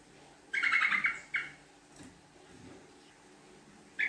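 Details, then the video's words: Yellow-vented bulbul giving a lure song in the rapid, long-chattering style: one burst of quick buzzy pulses lasting about a second, a short second burst, then quiet with a brief note at the end. "Pancingan Trucuk Gacor Ropel Ngekek Panjang"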